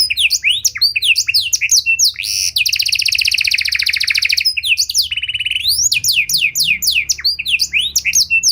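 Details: Panda canary with an ornate song style, used to bait and train other canaries: a loud, continuous high song of rapid downward-sweeping whistles, a dense buzzy trill in the middle, then more quick descending notes.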